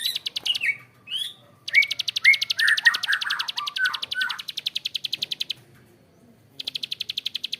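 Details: Bar-winged prinia, male and female, calling long and harsh: rapid buzzy ticking trains repeated many times a second, with rising chirps and slurred notes mixed in between bursts.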